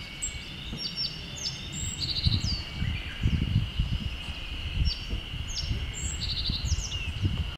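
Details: Japanese yellow bunting giving its call and song: thin, high, short call notes and brief trilled song phrases, spaced irregularly, over a steady insect drone and low wind rumble.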